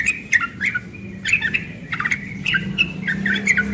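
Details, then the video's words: Young yellow-vented bulbul singing rapidly in the morning in ropel style, with harsh, buzzy chirps and whistled notes in uneven quick bursts. "Trucukan muda ropel pagi"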